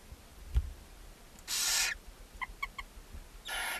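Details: Barn owls, mother feeding seven owlets in a nest box in Ságvár, Hungary, May 4, 2024. A harsh drawn-out hiss is followed by a few faint high chirps, then a second hiss. A dull thump opens the clip.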